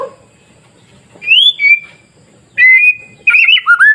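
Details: Masteran song of a white-rumped shama for provoking other shamas to sing: high rising whistles after a quiet start, then a sustained whistle and fast twittering notes.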